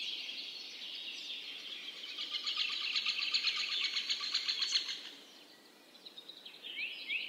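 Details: A blue-headed parrot in forest with banana plants gives harsh, buzzy chattering calls in a rapid pulsed run of about three seconds, then fades; faint steady background hiss throughout.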